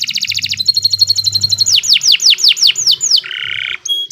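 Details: Kenari Nusantara canary singing a long song for masteran: rapid trill, a level high whistle, a series of arched falling whistles, then a harsh buzzy phrase and a short high note.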